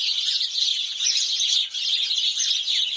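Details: House sparrows at Mettur Dam, bathing and recorded on a Canon 5D Mark IV. Dense, overlapping high chirps form a continuous chattering chorus with no pauses, several birds calling at once.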